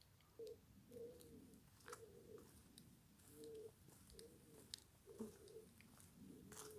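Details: Eurasian collared dove (Streptopelia decaocto) heard while walking back into town from farmland in the Weppes, Hauts-de-France: soft, low, hollow coos repeated about every second, with faint crunching footsteps and clicks nearby.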